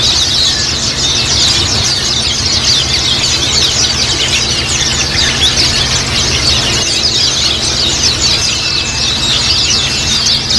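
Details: Japanese white-eye flock chorus played as therapy so other white-eyes begin chattering fast; thick, continuous mass of shrill, rapid chirps and short trills, a low steady hum in the background.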